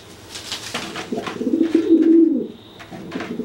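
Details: Pigeon threatening a wet companion that cannot fly after bathing; a single sustained low coo swelling over about one and a half seconds, framed by light clicking and rustling.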